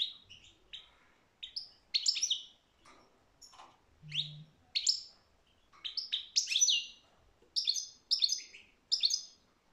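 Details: European goldfinch singing: quick bursts of bright, high twittering and tinkling notes in short clustered phrases with brief pauses between them, plus a faint low hum near the middle.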